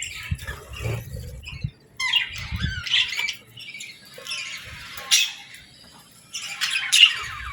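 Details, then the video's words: Budgerigars feeding and bathing in the morning; sparse scratchy chirps and squeaks with occasional sharp clicks and low thuds from movement. "Bird Sounds for Relaxation & Stress Relief | Real Budgies Enjoying Morning"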